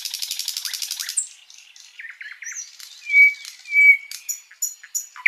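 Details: Master song of a sikatan londo flycatcher for tutoring caged birds. It opens with a fast buzzy rattle, followed by soft zigzag warbling, two loud drawn-out whistles, and scattered high chips.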